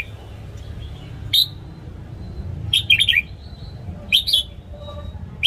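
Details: Caged red-whiskered bulbul singing in the morning, a recording for training newly caught birds: a single clear note, then two quick warbled phrases of several slurred notes, and a final short chirp, with faint soft background hiss.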